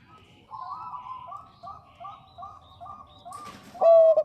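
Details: Bangkok zebra dove female calling the male, a lure recording: rhythmic soft doubled coos repeated about twice a second, ending in one loud, clear, level whistled coo.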